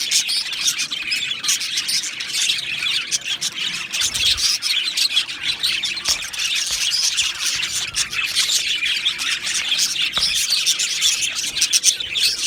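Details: Male budgerigars, two of them, Australian budgies, keep up a long harsh chatter: squawky, grating notes mixed with high chirps form a continuous noisy stream, with occasional sharp clicks.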